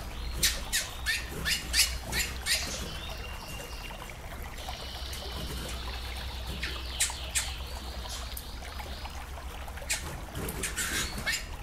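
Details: A female chestnut-bellied seed finch calling, played with waterfall sounds to excite a male: sharp, dry chips about three a second, with a thin higher note partway through, over a steady low hum and trickling water.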